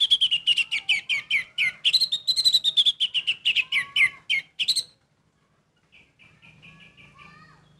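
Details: Vigorous orange-headed thrush song, a continuous run of fast, varied chirps and whistled notes lasting nearly five seconds, followed by silence and a few soft, faint notes.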